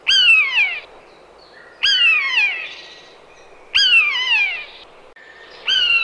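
A common buzzard gives four loud, drawn-out mewing calls, each a high squeal sliding downward, repeated about every two seconds.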